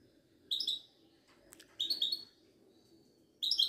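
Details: Moroccan Widani goldfinch kept in a cage at a Casablanca bird market, singing three brief, bright twittering phrases of fast tinkling notes spaced over a second apart, against a quiet indoor hum.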